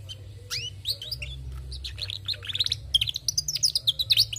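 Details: Female canary singing vigorously: rapid twittering with rising and falling whistled sweeps, then a dense run of quick high trills and sharp chips growing louder toward the end.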